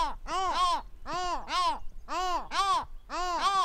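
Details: Pacific Gull in Western Australia giving deep, harsh, arched double notes, 'kow-kow', repeated about once a second in four pairs; no other sounds stand out.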